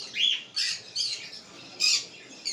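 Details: Cockatiel uttering four short, harsh, high-pitched squawks spaced about half a second apart, with no other sounds.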